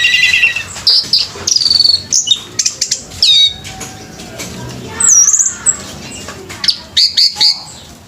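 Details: At a bird singing competition, an orange-headed thrush delivers shrill, jumbled song: high chattering notes, quick downslurred whistles and buzzy bursts repeated in irregular clusters, with scattered flutters and brief gaps.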